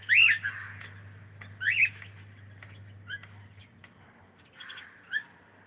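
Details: A playing cockatiel gives two strong arched whistles early on, then scattered softer chirps and short notes with small rustling sounds over a steady low hum.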